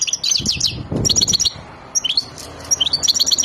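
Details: European goldfinch, a Wadani bird described as raging and ready to mate, sings quick slurred whistles and twitters. A short low thump comes early, and a slight pause is followed by renewed high chattering.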